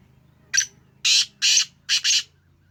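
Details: Black francolin, a home-bred Sheedi kala teetar, giving its harsh call: five loud scratchy notes, a short first one, then two longer ones and a closely paired couple, with a faint low hum beneath.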